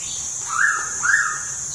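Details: Pitta at Tha Pom, Krabi, Thailand: two mellow whistled notes, each swelling and slightly rising then falling, about half a second apart, over a steady high insect hiss.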